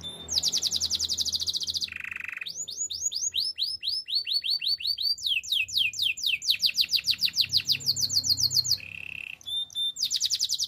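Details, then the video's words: Singing canary, a training song: a loud rapid trill, a short low buzzy roll, then long chains of ringing downward-swept notes about four per second, and a return to the bright fast trill. "Bird sounds canary chirping - The beautiful canary song"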